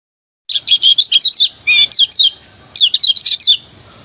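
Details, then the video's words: A lemon-bellied white-eye, Lombok, sings the ngejos style at morning: after a moment of silence, dense bursts of high, rapid chirps and slurred whistles come in three clusters separated by short gaps. "masteran kecial kuning ngejos di pagi hari membuat kecial kuning anda ikut bunyi"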